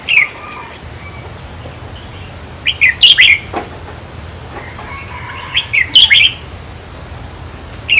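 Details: Red-whiskered bulbul song played to stir up caged birds at a trap cage: lively chirping phrases of several fast warbled notes, two main bursts about three seconds apart, with softer notes and steady background hiss.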